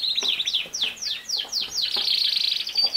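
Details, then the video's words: Canary singing to train a young male: a series of sweeping descending notes repeated about twice a second, leading into a sustained rolling trill. "How to make a CANARY Sing fast | The BEST video for CANARY SINGING"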